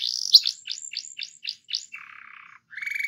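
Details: Canary rolling song used to get other canaries to sing: a run of descending slurred notes about four per second, a low buzzy rattle, then the start of a quick trill.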